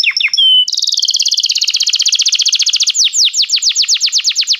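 A Belgian canary sings a loud, high rapid trill of repeated notes, then slows into a series of clear downslurred whistles.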